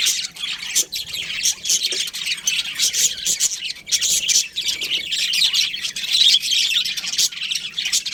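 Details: Budgerigars in a colony produce a continuous, high-pitched twittering chatter, overlapping scratchy chirps from many birds at once.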